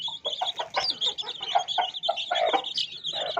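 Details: Hen's chicks of domestic chicken calling in a continuous flock of shrill, quick peeps, mixed with soft, lower clucking notes from an adult hen roughly every quarter second.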